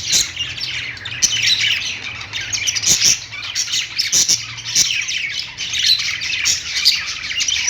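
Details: Budgies perched in a pet store keep up a lively chattering chorus of high, rapid chirps and rasping squawks, with several sharp clicks cutting through and a faint low hum behind.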